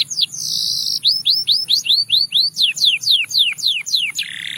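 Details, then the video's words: Russian singing canary singing for training: sweeping whistles and one drawn-out buzzy note, then a steady string of upward-curving whistled notes, followed by a series of steeper descending slurs, ending on a rough buzzing phrase. "A Special Canary to Seduce All The Canaries - The Russian Singing Canary"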